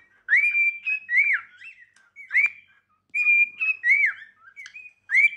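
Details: Singing practice by a cockatiel, a companion bird: rising whistles and arched slurred notes repeated in groups, each phrase followed by a short quiet break.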